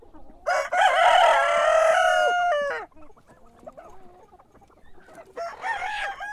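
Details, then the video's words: Cockerel heard crowing at daybreak: a loud, harmonic crow of about two seconds, then a pause with faint clucking, then the start of a second crow. "Sonido de gallo por la mañana // Cock crowing in the morning"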